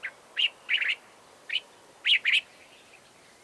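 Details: Cape bulbul call variation, Southern Africa: clear bubbly chirps in groups, a single note, a doubled warble, another single note, then a louder paired phrase, repeated at roughly half-second spacing over quiet background.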